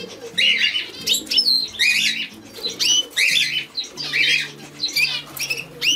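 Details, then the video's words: European goldfinch song: rapid bursts of bright, tinkling twitters and buzzy trills in phrases roughly every second, with steady soft instrumental music underneath. "European Goldfinch - Canto de jilguero"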